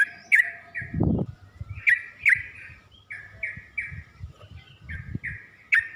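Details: Yellow-vented bulbul (trucuk) song played as a training recording for caged birds to learn and sing: bright bubbling notes near two to three kilohertz in short bursts, with low thumping knocks in the background.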